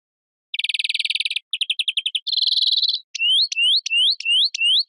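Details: European greenfinch song mixing a rapid trill, a shorter stuttering trill and a buzzy wheezing note, followed by a series of rising, whistled upslurred calls repeated about every third of a second.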